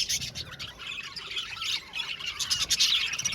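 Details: Budgerigars chirping en masse in an aviary, quick rapid-fire squeaky notes and chatter layered together, swelling louder toward the end.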